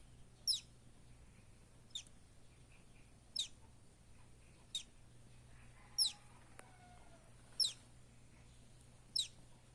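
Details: A buff-banded rail chick in the Philippines gives thin, very high peeps, one about every one and a half seconds, over a steady low hum and a faint second bird.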